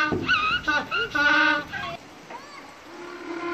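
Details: African penguin calling with a series of harmonic, nasal braying notes in short bursts, loudest in the first two seconds, then fading into softer, drawn-out tones.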